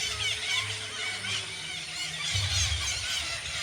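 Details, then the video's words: Many parakeets in a tree at a natural bird sanctuary in Garo Para: dense, overlapping shrill screeches and squeals in quick irregular succession, with a low rumbling hum underneath. "আমি আপনাদের টিয়া পাখির"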